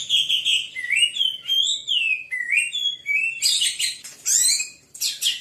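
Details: White-rumped shama singing fiercely and prolifically: clear whistled phrases sliding up and down, some rising sharply, then dense bursts of high, buzzy, rapid notes near the end, with short pauses between phrases.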